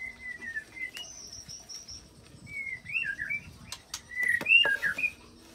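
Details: White-rumped shama delivering borrowed cililin and canary roll phrases used to trigger other shamas' singing; long even whistles, a high thin note, then looping slurred whistles and a loud warbled flourish near the end.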